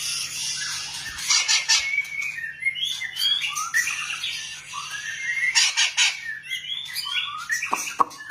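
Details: White-rumped shama song: a run of varied whistled phrases, some rising and some falling, broken by short sharp notes and chirps. Scattered clicks and a steady low hum sit beneath it.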